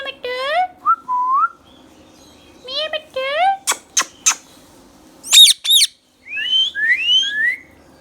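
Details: Talking green Indian ringneck, a pet bird, producing rich speech-like syllables in short bursts, sliding whistles, sharp clicks and squeaky rising phrases, with pauses between bouts in a quiet room.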